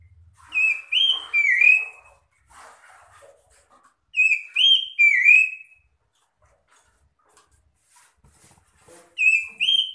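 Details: Several magpie-robins calling back and forth to draw out other magpie-robins: loud clear whistled phrases, each a short burst of two or three slurred notes, sometimes rising, sometimes falling, repeated in bouts about every four seconds, with soft twittering between bouts.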